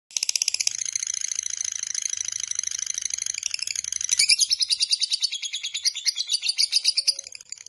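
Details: Lovebird called Biola giving a long ngekek chatter, said to sing day and night: a dense rapid stream of high buzzy chattering notes, speeding into a pulsed run of about three notes per second in the second half.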